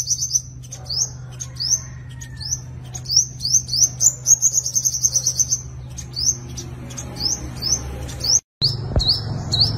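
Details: {'caption': 'High, sharp upslurred notes from a sunbird in fighting song, a lure for trapping wild birds, given in quick runs that speed into a dense burst, then resume after a brief dropout.'}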